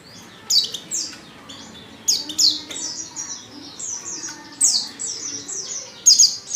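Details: Female Oriental white-eye call used to coax males into song: scattered bursts of thin, high, falling chirps, some in quick pairs or triplets, at moderate volume with quiet gaps between.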